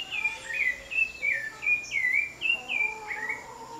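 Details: Wild maritaca parrots heard in the background calling in a quick, overlapping series of sharp, high squawking notes, several per second, with a steady background hiss.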